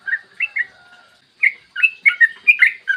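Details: Long 'ropel' song of a yellow-vented bulbul in morning: a few liquid warbles, a brief pause, then a faster run of clear bubbling notes tumbling up and down.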